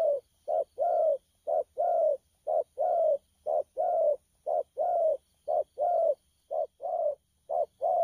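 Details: Spotted dove, recently trapped from the wild, singing thổ pha style coos on 12 October 2019; mellow low notes alternate short and drawn-out, about one per second, steady and regular throughout.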